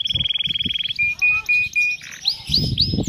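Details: Canary song, the cengkok mewah style used as masteran training material: a quick rattling trill, four short level piping whistles, then rising and falling slurred notes over a faint low background murmur.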